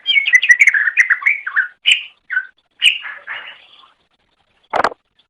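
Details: Cucak ijo (greater green leafbird) song recorded as a master for training songbirds: rapid, varied chattering and whistled phrases in quick succession, bursts separated by short pauses, ending after four seconds, followed by a single sharp knock.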